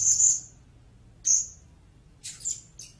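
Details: Blue-crowned hanging parrot giving three separate thin, high squeaky notes spaced over about three seconds, the last one slightly buzzy and doubled.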